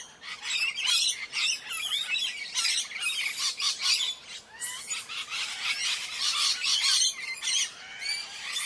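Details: A flock of Indian parrots in a constant chorus of raspy, high screeching squawks that overlap, with brief louder bursts and almost no pauses.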